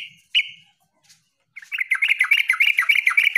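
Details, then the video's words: Yellow-vented bulbul in vigorous song: one isolated bright note, a second of quiet, then a rapid chattering burst of closely packed warbled notes at a steady high pitch. "SUARA TERUCUKAN GACOR MENANGIS LAWAN"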